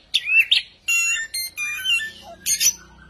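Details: A bird presented as a strange species with a scary song gives harsh chirps, then sustained, buzzy, harmonic-rich tones and a high squawky burst near the end. There is a faint low hum in the background.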